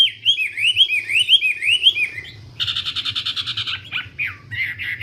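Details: Wambi song of quick rising whistled slurs for two seconds, then a harsh buzzy rattle about a second long, followed by scattered chattering notes; a faint hum runs throughout.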